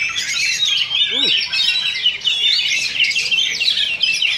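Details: Oriental magpie-robins duelling in a Sunday practice singing contest at Sindanglaut, session two, caged: crowded high chatter and whistled flourishes, with a brief spoken exclamation just after one second.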